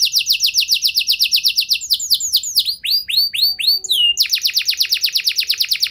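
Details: Canary song for prompting other canaries to sing: fast repeated swept notes, a tumbling phrase of slower downward whistles, a brief pause, then a quick rhythmic trill again.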